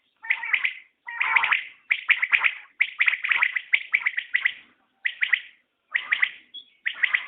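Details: Common quail calling steadily: short triple-note phrases, each note a crisp clipped burst, given in an even series of about a dozen bursts with brief silent gaps between them.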